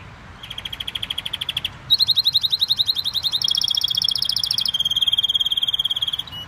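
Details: Canary singing vigorously: fast rolling trills of repeated high notes, each tour held about a second or two before switching to a new pitch, in a quiet room.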